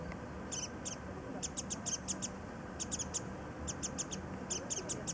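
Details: Warbling white-eyes calling as they feed on nectar of early-blooming cherries at Kitago Station, Nichinan, Miyazaki, Japan; thin, high chipping notes in bursts of three to five, separated by short pauses.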